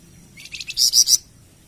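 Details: Flamboyan bird, a recording for masteran and pancingan training of captive birds. Three or four quick soft chips followed by three loud, piercing high notes, all within about a second.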